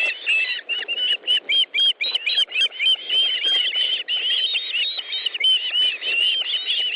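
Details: Calls from an osprey at a nest in Estonia, 1 August 2013, afternoon fish delivery: a rapid, nearly continuous run of sharp, whistled chip notes, several per second, slightly wavering in pitch.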